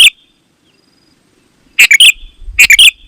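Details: Sooty-headed bulbul singing, played to attract other bulbuls: a lone clipped note, then two bright phrases of three or four tumbling chirps with a ringing finish, and faint low rumble underneath.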